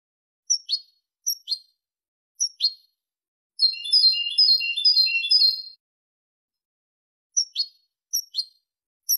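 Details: European goldfinch in the Malaga song style used for teaching chicks: paired sharp high chirps at irregular intervals, interrupted by a two-second flurry of fast, tinkling twitters, then more chirps, with no other sounds.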